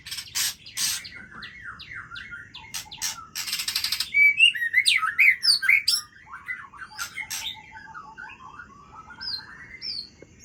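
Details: White-rumped shama (Aceh) singing at midnight: sharp clicks and a long buzzy rattle, followed by rich looping whistles, emphatic swoops and softer rising notes trailing off.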